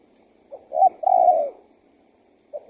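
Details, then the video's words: A single spotted dove phrase meant to lure wild doves: soft lead-in notes then a long mellow coo, with the start of the next phrase at the end. "SUARA TEKUKUR GACOR PALING AMPUH UNTUK PIKAT BURUNG LIAR"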